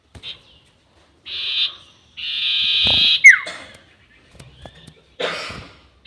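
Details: Sirtu bird trapping lure, long 'nyiul' call: short buzzy bursts building into a full raspy buzz with a falling whistle at its end, then a further brief buzzing fragment.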